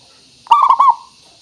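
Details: Zebra dove, local perkutut with a crystal voice used as a lure: a single short, loud, rolling cooing phrase of quick bubbly notes.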